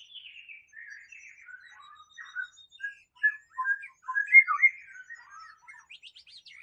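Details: White-rumped shama singing in the wild: a varied run of short whistled and slurred phrases at mid to high pitch, mostly soft with a few louder notes, ending in quick high rising strokes.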